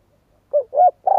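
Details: Spotted dove giving two short hollow coo notes, with a third note starting as the recording ends; no other sounds.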